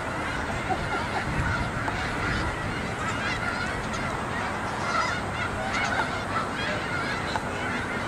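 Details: Dense honking from an estimated 2,000 to 3,000 migrating snow geese on a school yard forms an even wash of sound with scattered sharper calls throughout.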